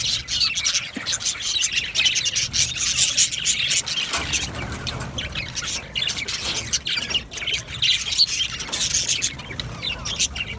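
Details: Budgies singing together: thick, overlapping high chirps, squeaks and squawks forming a constant bright warble, steady throughout.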